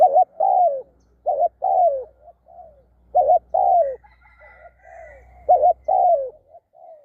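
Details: Spotted dove, kept for decoy trapping, repeating a cooing phrase: a quick doubled note followed by a long, drawn-out coo that slides downward. Three rounds come with soft trailing coos between them, a faint high chirping midway, and a low hum underneath.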